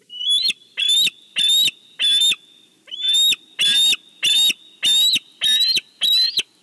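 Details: Wild bald eagle at a Big Bear nest during a fish delivery, picked up by a nest cam: two bursts of loud, high, chittering notes, four then five, with strong piercing overtones and brief gaps between.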